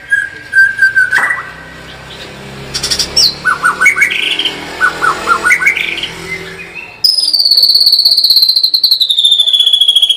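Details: White-rumped shama singing lively bursts: clear whistled notes, a series of short stepped chirps, then a long fast trill of high pulses sliding slowly downward.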